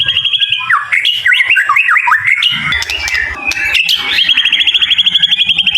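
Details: Ringed caged songbird kept by a songbird hobbyist in Jakarta, Indonesia, offered as ready for contests: loud varied whistled song with quick rising and falling slurred phrases, a harsh buzzy middle section, then a fast rapid trill of repeated high notes.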